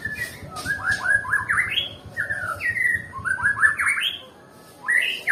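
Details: Nias white-rumped shama, described as a bird reluctant to sing, gives quick phrases of rising, stepped whistled notes in short bursts separated by pauses, over a low steady background rumble.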